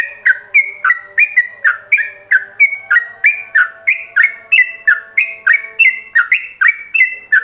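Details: Yellow-vented bulbul master song in ropelan style for training other bulbuls: steady rapid string of bright, slurred whistles, rising and falling, roughly three per second, over a quiet hum.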